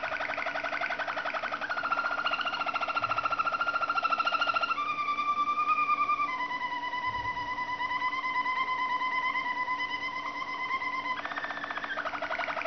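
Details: Waterslager (Malinois) canary song: a chain of long rolled tours, each a rapid pulsed trill held on a steady pitch, stepping from a higher roll down to lower ones and back, with a faint hum.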